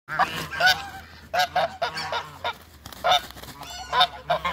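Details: Toulouse geese, two males and one female, in a backyard after the other waterbirds: repeated loud nasal honks in irregular bursts, several overlapping, roughly every half second to a second.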